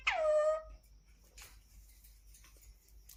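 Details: Pet Indian ringneck parakeet giving a single drawn-out call with a rich harmonic stack. The call starts high and slides down, levelling off before fading after under a second. A quiet room follows.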